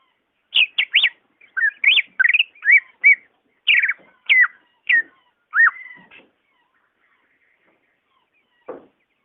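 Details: Greater green leafbird, voice offered as a prompt for a caged bird that rarely sings: a varied sequence of clear whistles, some sliding down steeply, others rising, over about six seconds, then silence and a faint note.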